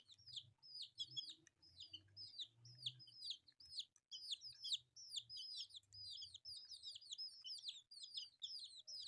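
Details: Young chicks pecking at rice keep up a rapid stream of sharp, high cheeps, a couple each second, with soft low rumbling underneath.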